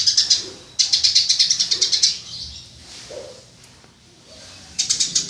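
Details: Burung gereja, the Eurasian tree sparrow, used as a model for teaching songbirds: long runs of rapid, evenly spaced high chirps, a quiet gap with only soft background murmur, then another quick chirping burst.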